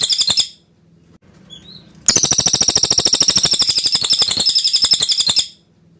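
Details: Pin-striped tit-babbler song recorded for training white-rumped shamas: brief end of a chattering run, a pause with a faint slurred whistle, then a long, steady series of quick, hard, bright notes for over three seconds.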